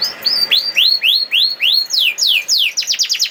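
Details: Canary singing to encourage other canaries to answer: a series of rising-then-falling slurred whistles repeated steadily, speeding into quick descending sweeps at the end.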